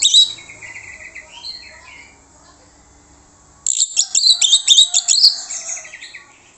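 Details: Orange-headed thrush song used as a lure to draw answers from other birds: varied whistled and trilled phrases, high sweet notes and rapid chattering bursts, with a quiet pause midway before a loud stretch of mixed mimicking phrases.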